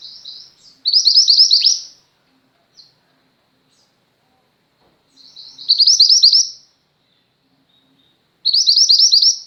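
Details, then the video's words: Recorded as tutor song for pet birds, a female mantenan gunung white-eye delivers three short bursts of high, fast, twittering notes, the first ending in a sharp downward slide, with long quiet gaps between bursts. "mantenan gunung betina gacor, cocok untuk masteran burung pleci anda"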